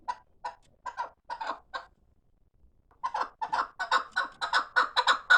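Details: Fighting chukar partridges give hoarse, repeated chuk notes in two bursts. A short run of five is followed by a pause, then a faster, louder series that builds to the end.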